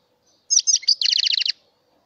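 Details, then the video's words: Mutation European goldfinch singing: a short high twittering phrase of mixed notes, then a quick trill of about ten repeated, sharply descending notes, all high-pitched against a quiet background. "تغريد #الحسون_الطفرة"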